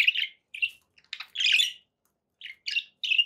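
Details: Budgies kept as pets produce short scratchy chirps and one longer harsh buzzy squawk, spaced by clear silences, all high-pitched.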